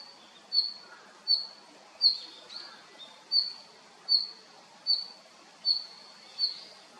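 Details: Male red-flanked bluetail giving a short, high, whistled note repeated steadily about every three-quarters of a second, eight times, over a soft hiss of background noise.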